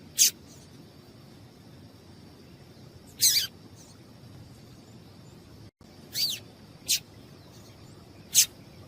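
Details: Female double-collared seedeater calling, a call meant to make the male sing: five short, sharp, very high chips at irregular intervals over nine seconds. One chip is slurred downward. A steady faint high whine runs behind.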